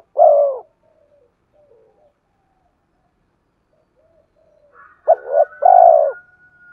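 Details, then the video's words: A single drawn-out spotted dove coo, then a long quiet pause with faint soft notes, and one full phrase of a doubled coo and a long coo. The recording is used to lure wild birds. "Tiếng chim cu gáy kích bổi nhanh nổi hiệu quả"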